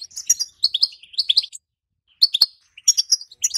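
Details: European goldfinch hen giving betbeta and setseta calls to excite a silent male for breeding: a rapid burst of high twitters, a pause of about half a second, then further chirp clusters and one sharp click.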